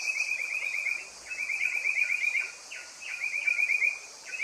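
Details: Blyth's paradise-flycatcher (Terpsiphone affinis) calling in buzzy, trilled bursts broken by sharp downslurred notes, irregular and fairly loud, against a steady high-pitched insect drone.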